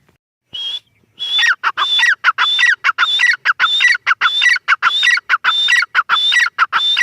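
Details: A single whistled note from a female grey francolin leads into a steady, brisk series of loud grating phrases, each capped by a high clear whistle, repeating about every half second.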